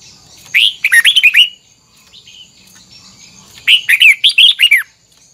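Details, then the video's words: Red-whiskered bulbul sings two rapid warbled phrases about three seconds apart, each a quick series of rising, looping whistles; a soft brief chirp falls between them. "Luyện giọng chào mào hót hay âm kép xoắn, ép chào mào hót âm kép già rừng hay tuyệt!"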